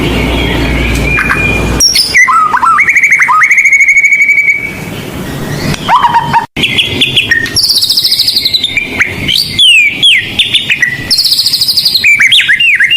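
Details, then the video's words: White-rumped shama of the blorok type singing loudly, its song full of mimicked phrases, used as a lure for training young birds: after two seconds of low noise, clear whistles near one pitch, then rising slurs, buzzy bursts and quick varied notes. "Murai Blorok Gacor Bongkar isian Pancingan Burung Murai Batu Bahan"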